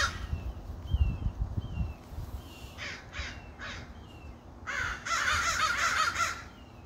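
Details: Crows cawing: faint thin whistles from other birds early on, then scattered hoarse caws building to a loud, dense burst of harsh calls from several crows, over low rumbling noise.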